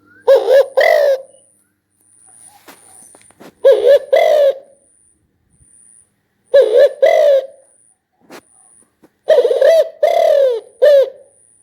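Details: Spotted dove giving loud, low, hollow cooing phrases, each a few quick stuttered notes ending in a longer drawn-out coo, repeated four times about every three seconds, with faint rustling between phrases.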